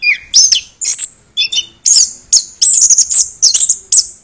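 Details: Chestnut-backed thrush giving a short burst of song: a descending whistle, then loud, shrill, high chirps and trilled notes strung closely together.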